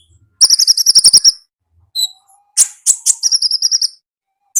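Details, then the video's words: Konin from the wild in 'gacor ngalas' song, opening with a loud fast trill of high repeated notes, then a short whistle, sharp harsh chips and a second rapid trill. "AUDIO KONIN GACOR NGALAS Suara Asli Alam Liar"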